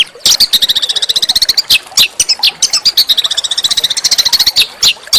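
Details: Coarse yet melodious small-songbird song used as a master for oriental magpie-robins: long runs of very fast, evenly pulsed high notes, almost four per second, broken by sharper louder chips.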